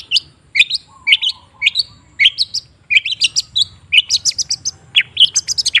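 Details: Shrike lure song, long-tailed shrike, played to coax a quiet bird to sing: bright chirped phrases repeated about every half second, growing busier and higher toward the end over a low hum.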